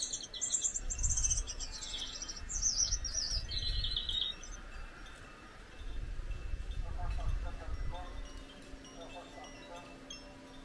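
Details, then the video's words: Song from a pair of Gouldian finches: about four seconds of high, wheezy, buzzy phrases with descending notes, followed by quieter low rumbling room noise and faint scattered clicks. "Gouldian singing"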